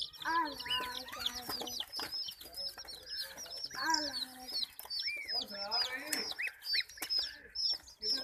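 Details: Frightened chicks attacked by baby ducks and a puppy peep shrilly and continuously in an overlapping chorus, mixed with lower, harmonic, nasal calls and occasional knocks.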